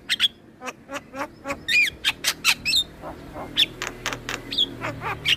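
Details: Male black-winged starling, recorded as teaching song for other starlings: evenly spaced chipping notes and squeaky whistled upslurs repeating roughly every third of a second, over a faint low hum.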